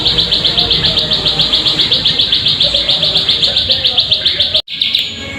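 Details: Ciblek sawah, the plain prinia, giving a lure call to set birds singing: a quick string of high buzzy notes at about four per second, ending in a short dropout and noisy tail.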